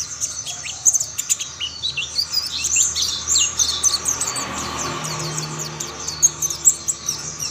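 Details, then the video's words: Several mountain white-eyes sing together, one joining another: continuous high, thin twittering with quick descending chirps layered over one another, a soft low background hum throughout. "Tidak butuh waktu lama pleci Monty lain pasti ikut bunyi"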